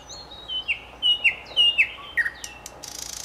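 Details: Common nightingale song of drawn-out slurred whistles dropping in pitch, repeated several times, then a harsh buzzing end.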